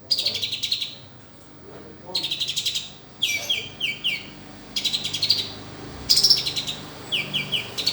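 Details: Kolibri sunbird tutor song with rich mixed content: short bursts of rapid, scratchy high twitters and quick downward-slurred notes, separated by brief pauses, recorded over a soft low background hum.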